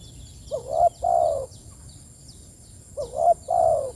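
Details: Calling spotted dove, two low cooing phrases spaced about two and a half seconds apart, each a short upward coo and a longer, sliding croo, over a quiet high-pitched hum and scattered distant chirps.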